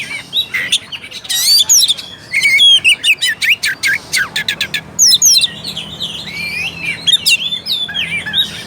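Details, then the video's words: Lure recording of an Oriental magpie-robin to rouse a bird that sings little: loud chattered bursts and sharp repeated notes, then a long run of softer twisting whistles and twitters. "PANCINGAN AMPUH UNTUK KACER MALAS BUNYI DAN KURANG FIGHTER."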